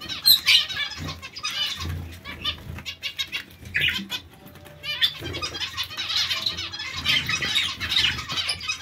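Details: Zebra finch colony calling: dense overlapping nasal, honking calls in bursts, busiest around the first half-second and again from five seconds on, over a steady low hum.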